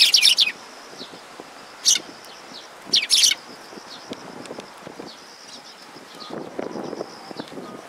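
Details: At Mizukami Bridge on 6 September 2022, sparrows come for food, giving loud, high chirps in short bursts near the start, at about two seconds and around three seconds, with soft chatter and low rustling between.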